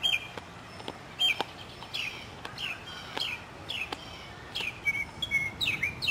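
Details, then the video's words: Springtime Northern mockingbird, South Carolina city neighbourhood, 2008: series of descending swept whistles and chirps repeated in quick clusters, with clicks and other birds calling faintly in the background. "Voices of Spring: Mockingbirds"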